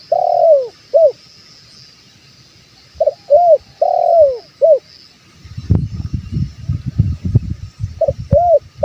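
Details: Spotted dove calling, used to lure wild doves: loud, mellow coos in short groups, a longer note followed by a brief one, repeated several times, with rustling handling noise in the second half.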